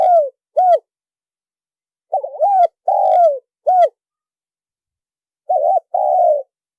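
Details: Spotted dove lure call, a clean recording with no background noise: mellow, low cooing notes arched in pitch, given in clusters of two to four with long silent gaps between groups.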